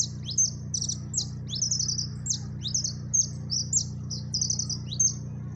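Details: Jilguero amarillo, a yellow siskin, giving its máquina-style song up close, a fast unbroken stream of thin, high chirps and buzzy trilled phrases over a constant low background hum.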